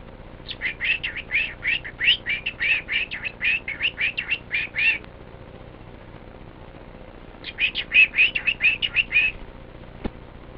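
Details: A male pet cockatiel playing with his toy duck chatters in quick, bright, repeated chirps, in two bursts separated by a short pause.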